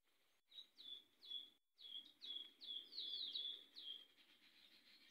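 Variable sunbird giving a quick series of high, thin, downslurred chips and twitters, several notes a second, over faint background hiss.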